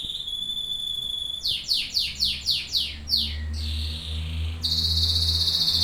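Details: Domestic canary singing indoors: a steady high tone, then a run of about eight sweeping notes falling in quick succession, a held buzzy note, and a final loud high rolling trill over a low hum.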